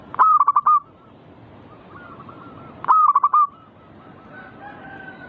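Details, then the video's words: Zebra dove (perkutut) manggung song for provoking singing. Two loud phrases, each a burst of five rolling coos, come about three seconds apart. Gentler cooing from other doves sounds throughout. "burung perkutut bikin cepat Gacor rajin bunyi manggung"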